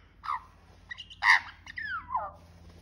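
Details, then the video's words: In Australia, an Australian magpie singing for food gives a few rich, harsh notes, then a clear warble sliding down in pitch, over a low steady hum. "Magpie sings for food."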